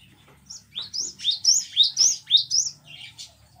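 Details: Cinereous tit song used as a master recording for training captive birds: a quick series of about eight bright, high whistled notes, each rising then dipping in pitch, repeated evenly over two seconds, with faint lower murmurs in the background.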